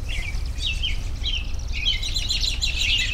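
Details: Mixed bird chorus outdoors: clear whistled notes dipping and rising, followed by a dense stretch of rapid chirping and trilling from several birds, over constant low background noise.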